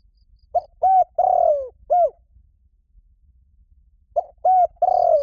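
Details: Spotted dove giving its mate-calling coo, used to lure wild birds: one full phrase of short note, hollow hoot, long sliding burred coo and final hoot, then after a pause a second phrase that is cut off.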